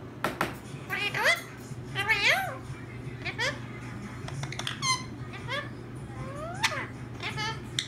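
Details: Pair of pet parakeets indoors, said to be affectionate and talking; a series of sharp rising and falling squeaky chirps and chatter in irregular bursts, with a person speaking over them.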